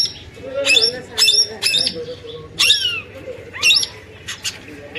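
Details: A Nepali parrot gives harsh, screechy squawks in short bursts, about one a second, some sliding downward, with faint lower chatter beneath.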